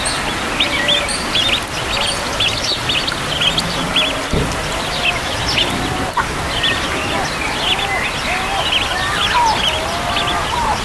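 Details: A four-day-old mallard duckling in a park in Wales peeps with quick, high, thin chirps repeated almost without pause, over steady hiss and a few faint low knocks.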